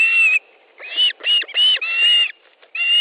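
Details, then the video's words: Osprey at its nest in Estonia, mid-July morning, as fish is delivered: a few loud, high whistled yelps with slightly rising then falling pitch, separated by short pauses. "Osprey nest, Estonia 18th July 2013 10.30 Fish delivery"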